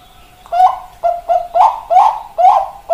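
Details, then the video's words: Zebra dove, Bangkok perkutut type, giving short cooing notes with rising, slightly rough inflections, about six notes in three seconds over a faint steady tone. "Perkutut Bangkok Indo Perkutut"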